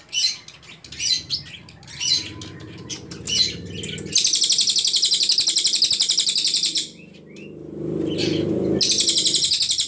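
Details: Ashy Tailorbird song used for training songbirds such as the shama and magpie-robin. Short chirps come first, then long bursts of rapid, high, sharp notes, with a softer low hum in the pauses.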